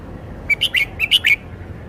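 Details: Red-whiskered bulbul performing its song repertoire: six clear, evenly spaced chirped notes, each a brief rising-and-falling bright syllable, delivered in a little over a second against a faint low hum.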